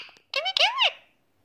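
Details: Indian ringneck parrot, known as a Mithu parrot, courting: a brief harmonic, warbling vocalization with rising and falling tones, lasting under a second, in a quiet indoor setting.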